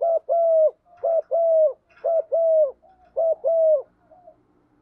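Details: A lure spotted dove in 'gọi một hậu' style calls the flock to bring in wild birds. Four evenly spaced paired coos follow one another, each a short note and then a longer, steady, mellow hoot, given about once a second.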